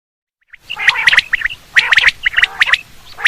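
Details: Quail call used for hunting. After half a second of silence come bursts of sharp, harsh, clipped notes, grouped in quick clusters with short pauses between them.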